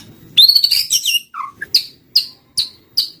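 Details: White-rumped shama lure sound: a rapid, buzzy high flourish, a low whistled note, then four short sharp notes spaced about every half second.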